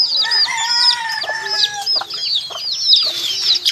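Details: Baby chickens give dense high cheeps, joined early on by a steadier, lower drawn-out call beneath the chorus of arched peeps.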